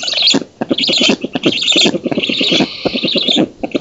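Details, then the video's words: Nest camera in an oak in Poland, 19 June 2017, catches black storks as the female feeds and an intruder is chased off; loud hoarse, hissing bursts run in quick chattering series, broken by two short silences. "Bociany czarne z Polski (dąb) 2017 06 19 Karmienie (samica), odstraszanie intruza"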